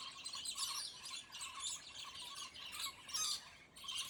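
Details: Scaly-breasted lorikeets in a territorial wrestling squabble; fainter harsh, buzzy screeches in choppy bursts over a low hum of background noise.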